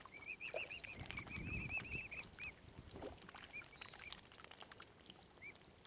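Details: Young mute swan cygnets at Lough Neagh's Oxford Island Nature Reserve in Ireland pour out a fast chain of high, arched peeps, then scattered single notes, with soft low noise beneath.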